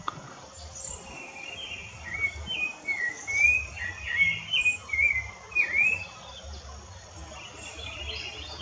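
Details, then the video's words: Rufous-bellied thrush singing in the woods: a connected string of soft, fluty whistles swooping up and down for several seconds, then fading to quiet background with a few distant high chirps. "Sabiá Laranjeira cantando bonito no mato"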